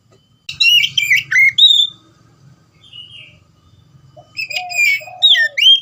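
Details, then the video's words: Oriental magpie-robin singing in the loud ngeplong style, used to prompt silent magpie-robins to sing: a burst of sharp, slurred whistles, a quiet pause with a faint soft phrase, then more varied whistled notes over a low background hum. "suara kacer gacor ngeplong"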